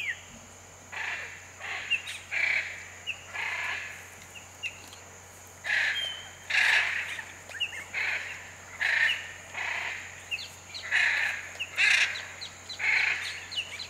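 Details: Hyacinth Macaws in the Pantanal give harsh, grating squawks, roughly one per second and sometimes overlapping. A steady low hum and a thin high insect tone run underneath.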